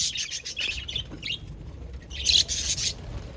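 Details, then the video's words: Quick high twittering of budgies: a run of short scratchy chirps, a brief lull, then another burst of chatter. "sound of budgies Beautiful Sounds budgies parrots"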